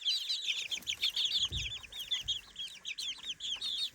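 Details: Three-week-old chicks exploring their new daytime playpen, a flock peeping constantly with high, rising-then-falling chirps in overlapping runs of about one per second.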